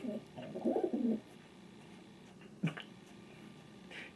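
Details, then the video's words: Indoor pet king pigeon, a male, utters one short burst of low, rolling coos at the start, followed by quiet room noise and a single knock. "SOUND OF A KING PIGEON 🔊 What does a king pigeon sound"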